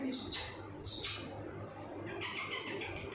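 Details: Indian ringneck parrot talking like a human: short, harsh, speech-like squawked syllables in two quick bursts, then a longer, steadier run of voiced, word-like sound, with low room hum beneath.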